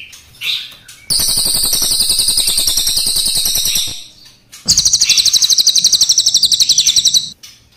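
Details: Crested jay in full voice with long rolling song, black versus brown: two extended loud rattles of very rapid high pulses, the first nearly three seconds, the second about two and a half.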